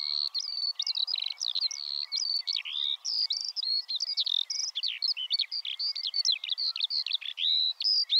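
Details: Continuous Eurasian skylark song, a long, rapid chatter of high, varied whistles, chirps and warbles tumbling one after another with a faint steady hiss beneath.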